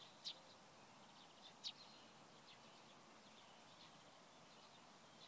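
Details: Eurasian tree sparrow at Provodov-Šonov on 24 March 2016: two sharp, high chirps in quick succession near the start, then softer, fainter chirping and twittering at a distance for the rest of the recording.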